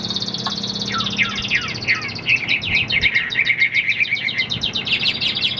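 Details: Captive Chinese hwamei in song: fast trills and buzzy chattering notes mixed with short downward whistles, continuous and varied, over a steady background hum.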